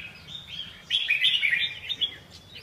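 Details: Brief red-whiskered bulbul phrase of bright, rapidly modulated whistled notes starting after a quiet moment, ending with a couple of sharp upward flicks.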